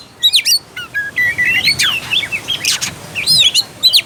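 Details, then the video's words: Oriental magpie-robin song as a stimulus for a quiet, low-fight bird: spaced sharp whistled notes and quick slurred phrases, some rising, some dropping, repeated with short gaps over a light hiss. "PANCINGAN AMPUH UNTUK KACER MALAS BUNYI DAN KURANG FIGHTER."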